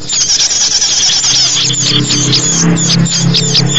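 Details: Small birds chirping busily, used to lure small birds: rapid high squeaks and short whistles crowd together over a steady low droning hum.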